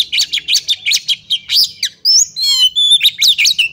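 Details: Oriental magpie-robin female calling a male to make it sing: a steady string of bright chirps about five per second, followed by wavering whistles and a rippling trill, then more quick chirps.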